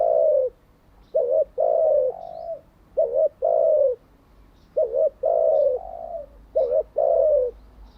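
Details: Spotted dove used as a decoy bird for training newly caught and captive doves, giving repeated low cooing phrases: a short double coo followed by a longer drawn-out falling coo, several phrases in sequence, little background noise.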